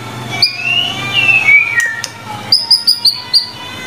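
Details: White-rumped shama song in a master recording: one long smooth whistle sliding up and falling, then a quick series of five short high sharp notes, with faint hum behind.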